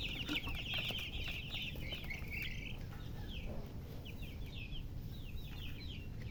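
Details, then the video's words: Chick chirps: at first a loud dense chorus of high overlapping peeps, then thinning to separate short downslurred chirps, all over a low constant hum. "Witty MURGI Baby "Chicks Chirping" Sound"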